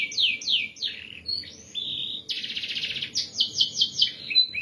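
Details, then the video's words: Canary tutor song in the Indonesian 'ngeroll rapat' (dense rolling) style: a few swooping high notes and a thin whistle, then a harsh buzzy trill, followed by quick repeated downward sweeps. "MASTERAN BURUNG KENARI GACOR NGEROLL RAPAT"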